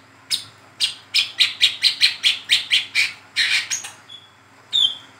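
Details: Ngeriwik chatter of a young, speckled brown-throated sunbird, played as a lure for cage-bird training; a fast series of about a dozen bright, high chirps, roughly two per second, trailing into a few thinner whistled notes.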